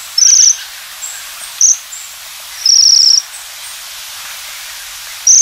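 Japanese Waxwing giving very high, thin, trilled 'sirrr' calls in short bursts every second or two, over a faint steady background hiss.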